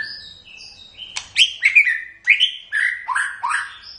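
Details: Loud, varied song of a white-rumped shama: sharp clicks mixed with clear swooping whistles and bright chattering notes in quick succession.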